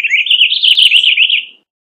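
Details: Purple Finch singing a rapid warble about one and a half seconds long, a continuous run of bright, wavering notes that stays fairly steady in pitch before fading out.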